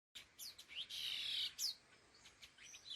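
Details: A pair of laughingthrushes (khứu lùn) calling: a bright, rasping high band held for about half a second, preceded by short swept chirps and followed by a sharp downslurred note and scattered clicks.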